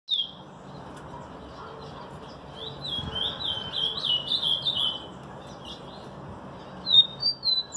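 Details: Rufous-collared sparrow (tico-tico) giving a singing display with an ultramarine grosbeak (azulão) in the background: a run of high, sharp whistled notes, slurred and closely repeated, pausing, then a few rising-falling notes at the end over faint low hum.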